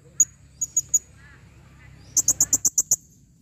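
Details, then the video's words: Female blue-crowned hanging parrot calling, recorded 2021: a few spaced, very high sharp chirps, then a fast regular run of seven piercing notes. "serindit betina memanggil"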